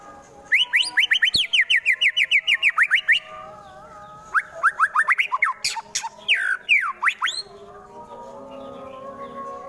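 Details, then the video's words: White-rumped shama (murai batu) in Wonosobo, Indonesia, singing a rough fighter song to stir rivals: a fast, even rattle of about twenty clipped notes, then scattered louder sweeping whistles and a few abrupt sharp calls. "MURAI BATU FULL TEMBAKAN KASAR Sangat Cocok Dijadikan Lawan agar cepat Emosi dan Fighter"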